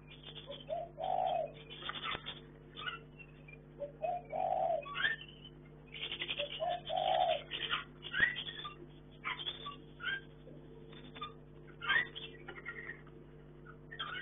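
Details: Chinese hwamei kept for breeding in a hanging cage: bursts of varied short whistled and buzzy notes, scattered clicks and a few low, hollow, hooting phrases recurring every few seconds, over a steady low electrical hum.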